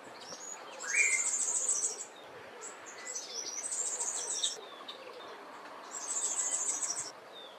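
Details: Southern Double-collared Sunbird in a garden in the Eastern Cape, South Africa, giving three bursts of very high, rapid, tinny twittering, each one to two seconds long, over soft background hiss.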